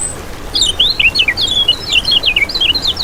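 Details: Lemon-bellied white-eye, known locally as kecial kuning, in a lure recording: a lively stream of high, wavering, slurred whistles following one thin opening note.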